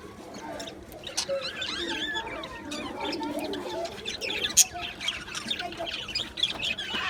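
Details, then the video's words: Budgie colony in an aviary, Australian budgies recorded 11 July 2025, keeping up a continuous warbling chatter of wavering, twisting whistled notes layered from many birds. "Budgies Chirping sounds"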